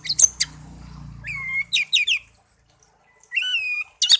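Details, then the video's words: Tame pet songbird, hand-raised from young and kept one year, sings over a low hum: sharp high chirps, a rising clear whistle, quick clipped notes, a pause, then another sustained whistle and a final chirp. "burung kicau peliharaan"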